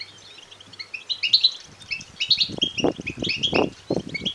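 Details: Goldfinch chicks begging, calls intended to stimulate males to sing and mate; high twittering chirps start faint, then grow denser, while strong low thuds and rustles join after the first two seconds.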